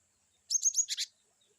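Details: Varied 'wucit' phrase from a cinereous tit (glatik batu): three thin high whistles run together, followed by two rougher, buzzier notes, all within about half a second.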